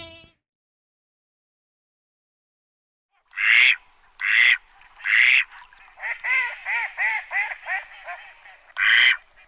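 Mallard giving three loud, harsh, spaced quacks, then a quicker run of about seven softer, falling quacks, and one final loud quack.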